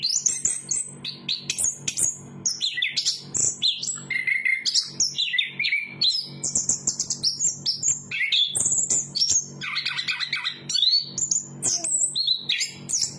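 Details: A continuous, rich song from a chestnut-capped thrush: quick whistled phrases alternate with chattering rattles and sliding notes, many high and sharp. A faint low hum stays in the background throughout.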